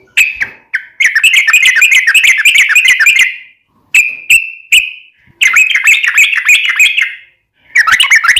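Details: Recorded for daily training of cage birds, a Yellow-vented bulbul gives long babbling bursts of rapid notes broken by single sharp whistled phrases, very loud throughout.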